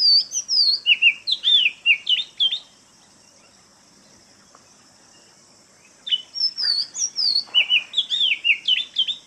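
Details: Oriental magpie-robin, known in Malayalam as mannathippullu, delivers rich whistled song: rapid strings of looping, up-and-down notes in two long phrases, each lasting around three seconds, split by a three-second silence, over a faint constant high hiss.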